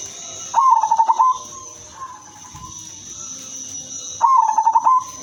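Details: Female silver zebra dove used to attract other zebra doves, repeating a short rapid cooing trill of pulsed notes twice, about three and a half seconds apart, with a constant high-pitched hum behind.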